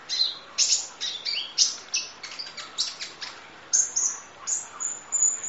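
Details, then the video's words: Masteran full song of a kolibri ninja sunbird: a dense, rapid run of sharp high chips and brief buzzy notes, almost continuous for several seconds, with a few thin whistled strands near the end. "Audio Master Masteran Kolibri Ninja Full Isian Nembak Durasi Panjang Kicau Burung"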